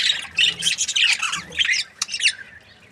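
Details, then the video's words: Budgerigar breeding pair, described as happy, giving rapid harsh squawky chatter and squeaks in a continuous scratchy stream, dropping off near the end. "Happy budgie chirping sounds 🦜| breeding pair"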